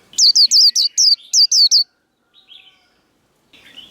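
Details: Caged Japanese white-eye singing a líu đấu fighting song, used to fire up other birds: about eight very high, sharply falling slurred notes rattled off in under two seconds, then a few faint softer chirps.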